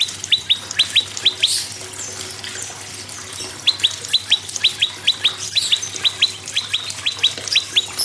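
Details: Prinia song used to encourage other birds to sing: two bursts of paired, downward-sweeping high whistled notes, rapid and bright, with a short quiet gap between bursts and faint background hiss.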